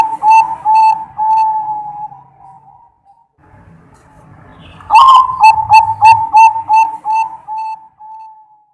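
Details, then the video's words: Zebra dove song from a real bird, meant to lure other doves into answering: two runs of rapid, evenly spaced, mellow whistled coos, about ten notes in the second run, with a soft low hum between them. "ll pancing burung PERKUTUT mu dengan suara ini DIJAMIN NYAUT."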